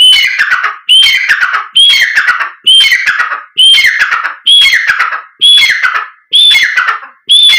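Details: Black francolin call played to make the bird call and excite it: loud, harsh phrases, each opening with a high whistled note and tumbling into grating, descending rasps, repeated about once per second, nine in a row.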